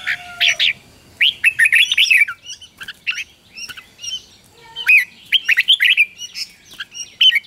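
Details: Red-whiskered bulbul in fierce contest-style morning song, played to train young birds: cheerful warbled phrases of slurred whistles delivered in several quick bursts, with quieter notes between.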